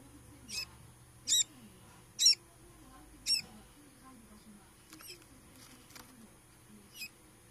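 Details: Quail chick two days after hatching, hatched in an incubator, recorded on 14 August 2016: thin, high peeps, each one short and sharply falling, spaced about a second apart, then softer, fainter peeps in a quiet room.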